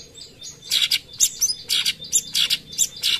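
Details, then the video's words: Cucak cungkok bulbul in active song, given as a tutor recording of bursts: fast, high, chattering phrases of sharp chirps and trills about three times a second, over a quiet background. "tembakan cucak cungkok gacor"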